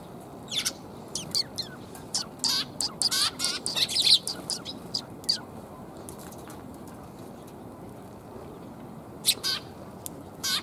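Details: Sparrows in Japan coming to be fed, recorded in November 2021 on the way out: short high chirps in scattered bursts with quick fluttering wingbeats, busier around the middle, then a few more late notes.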